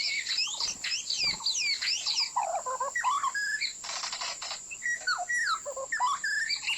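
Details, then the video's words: White-rumped shama song used to lure birds into traps: fast sweeping high whistles and choppy lower notes, interrupted by a brief harsh noisy burst, then more slurred whistles, all over a thin steady whine. "สียงนกกางเขนดง(บินหลาดง)เสียงต่อ คม ชัด"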